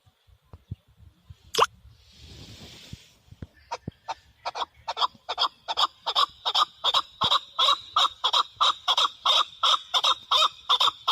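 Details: Male chukar partridge: a sharp note and a hissy burst, then after a few scattered clicks a steady train of loud, repeated clucking chuks begins and continues evenly to the end. The recording is intended for hunting.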